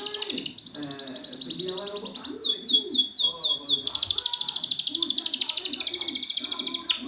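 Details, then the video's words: Canary tutor song for birds that won't sing: fast high trills broken by a run of descending whistled slurs, then a long dense trill, with low warbling sounds in the background. "Masteran burung kenari macet"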